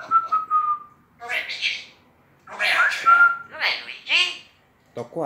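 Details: Pet common hill myna kept outside the house, talking: a clear whistled note held about a second, then harsh voice-like phrases and another pure whistle, mimicking human speech with gaps of silence between.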